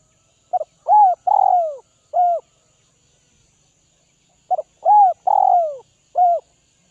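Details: Two full cooing phrases from a spotted dove of northwest Vietnam being tamed: short clipped notes, a rounded coo, a long downslurred coo and a separate final short note, the phrases separated by a quiet gap.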